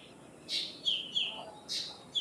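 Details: Indian myna giving loud, harsh squawks alternating with bright whistled notes, a short burst of four or five sounds in quick succession over light background hiss.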